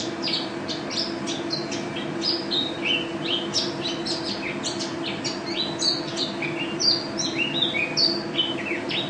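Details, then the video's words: Mountain white-eye, a national champion bird, delivering gacor, ropel song: a continuous stream of sharp high chirps and short down-slurred notes, busy and unbroken, with a constant low hum beneath. "Pleci Juara 1 Nasional pleci Gacor juara nasional teler gacor ropel pleci"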